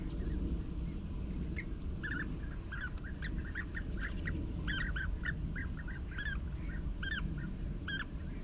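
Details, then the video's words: Bee-eaters calling: short liquid rolled notes given singly and in quick pairs, scattered throughout, over a heavy low rumble of wind. "Gyurgyalagok 4K, Bee eaters 4K"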